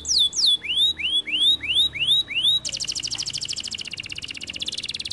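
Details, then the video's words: A canary gives a string of six rising, arching whistles, then breaks into a rapid, even, buzzy trill that runs to the end. "The canary sings beautifully"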